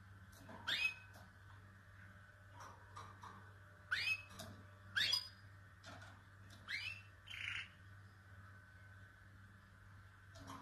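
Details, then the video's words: Canary song, quiet: scattered rising whistled sweeps a second or more apart, with one short buzzy phrase, over a constant low hum. "Canary Bird | three minutes continues singing"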